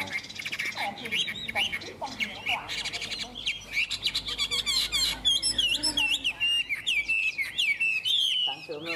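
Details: Caged Chinese hwamei in Vietnam, its song starting softly under low murmuring, then building into loud rapid sequences of slurred whistles and chattering trills.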